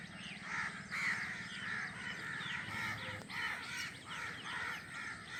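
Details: Drongo chicks, newly hatched, calling from the nest while they wait for the mother bird to bring food: rough, scratchy notes repeated in a fast uneven series, fairly faint, over a constant low droning hum.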